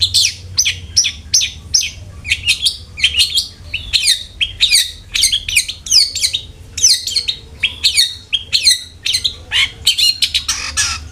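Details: Long-tailed shrike song used as a lure to make a kept bird sing more often: rapid chattering run of short sharp notes and harsh bursts, mixing scratchy rasps with brief whistled slurs, with a low hum underneath.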